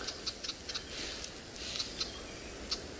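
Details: A Red-backed Shrike, a non-breeding migrant on a private game reserve in South Africa during an afternoon drive on 1 March 2021, gives its common alarm call: short, dry clicking chack notes in an irregular series, over faint hiss.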